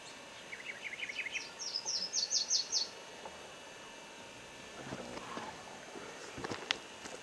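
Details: Booted racket-tail, subspecies discifer: a series of lower chips followed by higher, downslurred, buzzy notes, about a dozen over two and a half seconds, then faint rustling and other soft sounds.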